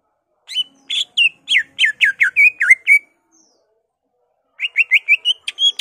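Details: Greater green leafbird in emotional ngentrok singing, showing its mimicked repertoire of magpie-robin, laughingthrush, cililin, white-eye and canary: a long run of rapid, slurred high whistles, a pause, then another quick series of rising notes.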